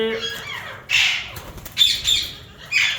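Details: Yellow Indian ringneck parakeets, a breeder pair, give three short harsh squawks spaced through a few seconds, each a grating burst, with a softer whistled tone at the start.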